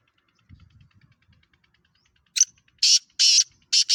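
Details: Pakistani black francolin, described as a speedy caller, giving a loud, scratchy call: one short rasp, then three broad grating notes in quick succession, after soft low knocking sounds.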